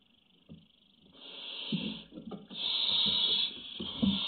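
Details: A barn owl chick on a webcam, 03.05.17, waiting patiently, gives loud, long wheezing hisses, one lasting under a second and a longer one near two seconds, with scratching and knocking sounds between.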